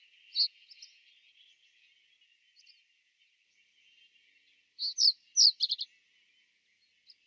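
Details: Common reed bunting in winter in Genk, Belgium, giving short, high chipping notes, with a quick cluster of four or five near the end, over a steady high hiss of background noise.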